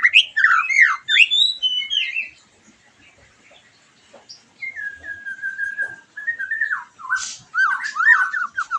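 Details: Lure song of a white-rumped shama, played to spur a post-moult bird into answering: loud varied whistled phrases, a quiet pause, then a long level whistle followed by jumpy slurred notes and a harsh burst.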